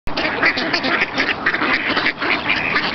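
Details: Noisy ducks among an assortment of waterfowl at Virginia Lake, Wanganui, New Zealand, competing for a few scraps of bread: a dense, continuous jumble of overlapping quacks and squabbling calls.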